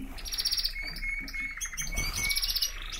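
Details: Domestic canary song: bright trilled bursts alternate with a thin sustained whistle, and soft low thumps sound in the background.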